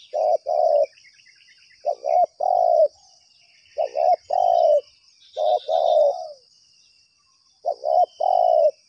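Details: Spotted dove drawn by a lure, calling insistently: five repeated phrases of a stuttering double coo and a sustained mellow coo, roughly every two seconds. Steady shrill insect drone, with brief chirps from other birds.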